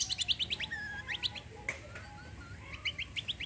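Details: Cucak kombo singing in the kecial kombo roll tembak style: rapid bursts of high, sharp chirping notes in quick repeated runs, with brief quieter gaps between bursts and low background hum.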